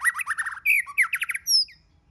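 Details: White-rumped shama delivering a rapid, dense chatter of rich whistled notes with buzzy overtones. A brief pause and a fast stuttering run follow, ending in a long high thin whistle.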